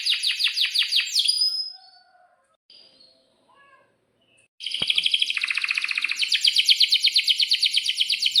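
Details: Atlantic canary in breeding condition, singing chirps and long rolls. A quick series of falling notes fades into near silence with faint chirps. Then a loud, sustained rolling trill returns, strengthening into rhythmic pulses.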